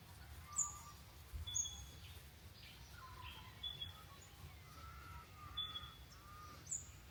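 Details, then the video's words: Wild birds chirping at a cabin by a lake: sharp high chirps every second or two, with soft whistled notes in between over a steady low hum. "Birds chirping"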